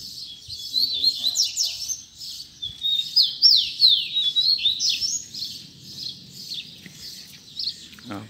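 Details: Tui tui zel zel song of a Double-collared seedeater. A dense run of high, rapid whistles and steep falling slurs repeats almost without break, loudest mid-phrase, over faint low background noise and a soft thump at the end.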